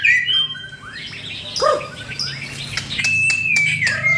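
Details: Full, varied White-rumped shama song used for morning bird training. It has mixed warbles and sweeping notes, a loud swoop, and then a long, steady whistled note that falls gently at the end, over some low noise.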